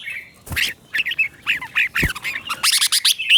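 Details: Red-whiskered bulbul, a teacher bird whose doubled song is played to stimulate captive bulbuls; harsher, squawky slurred notes in a rapid jumble, with loud knocks and a scratchy, buzzy finish.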